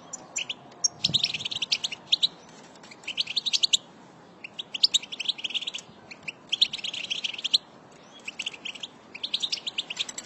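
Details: Female European goldfinch song, used by keepers to stimulate caged goldfinches to sing: bursts of rapid, high, twittering and tinkling notes lasting about a second each, separated by short pauses, over faint low background noise.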